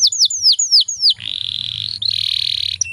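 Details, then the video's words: Female Atlantic canary lure song, intended to get males singing fast: five clear descending whistled notes followed by a long buzzy, rattling trill in two sections and a final short whistle. "PANCINGAN KENARI BAHAN AGAR CEPAT BUNYI"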